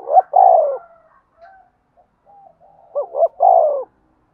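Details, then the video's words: Spotted dove coo used to provoke fights and call. Two full phrases, each two short upswept notes and a drawn-out descending coo, separated by soft, low murmuring notes. "cu gáy thúc đấu & gáy gọi"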